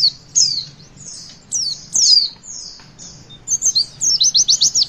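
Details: Young Javan white-eye learning to sing with a witwit song: sweeping high whistled phrases, then a fast, steady series of about ten sharp repeated notes over faint low hum.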